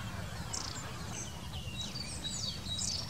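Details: High, thin call notes of a Long-tailed tit, a few quick sibilant 'see' sounds and short slurred notes, grouped loosely over three seconds against constant low-frequency background hum.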